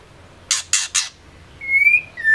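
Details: Female white-rumped shama, used as a lure to get male shamas singing, giving three harsh rasping bursts followed by a clear, slightly rising whistled note and a shorter falling whistle.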